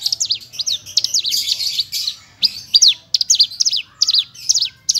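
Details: Javan bush lark, branjangan parva, delivering clear nembak-style song: dense zigzagging high whistled notes in rapid rising and falling runs, broken by short gaps.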